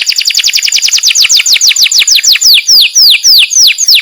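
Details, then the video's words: Master canary song, said to be calling friends and fighting: a run of loud, downward-sweeping whistled notes that starts rapid and gradually slows, each note spaced farther apart. "O SOM DOS CANÁRIOS MESTRE CHAMANDO AMIGOS E BRIGAS"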